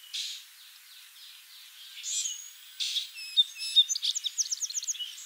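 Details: Song sparrow singing while foraging: a few buzzy introductory bursts, then sharp high notes leading into a fast, evenly repeated trill of about a dozen crisp chirps at the end.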